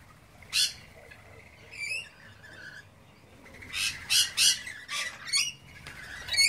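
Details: Wild lorikeets feeding on pear and apple give harsh, screechy squawks in short bursts, several in quick succession over a few seconds, with faint chatter in between.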